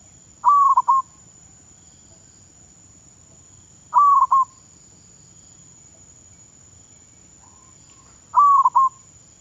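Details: Captive zebra dove being trained as a decoy bird in Thailand gives three quavering cooed phrases roughly four seconds apart. Each is a short burst broken into stuttered segments, with a faint continuous high-pitched tone behind.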